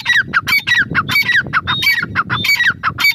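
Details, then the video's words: Rapid harsh calls of a female grey francolin, each note sliding downward, repeated densely throughout with low background noise. "Gray francolin teetar voice | female teetar sound"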